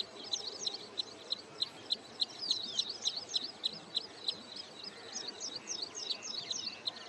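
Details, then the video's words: Wood sandpiper at Hoskote Lake, Bangalore outskirts, Karnataka, on wintering grounds, singing when another bird comes close: rapid, high, clipped whistled notes, about three to four a second, in a lively rolling series over faint background noise. "Wood Sandpiper Calling and Singing"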